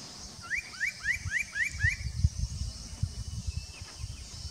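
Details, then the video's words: Spot-breasted parrotbill at Doi Lang, Fang, Thailand, 25 March 2017: a quick run of about seven clear, upslurred whistled notes, over a steady high insect hiss and low rumbling background noise. "Spot-breasted Parrotbill"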